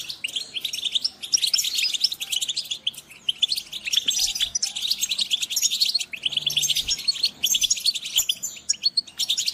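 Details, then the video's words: Dense chorus of European goldfinch group calls, high twittering and buzzy notes layered almost without break, with a soft low hum beneath. "Group calls for goldfinch"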